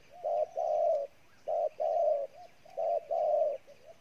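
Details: Wild-caught spotted dove cooing intensely, giving three similar phrases. Each phrase is a short coo then a longer, mellow, low note, with soft connecting notes between.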